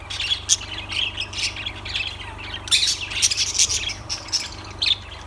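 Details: Lovebirds call in bursts of squeaky, high chirps and short shrieks, loudest in a dense run midway, with a faint low hum in the background.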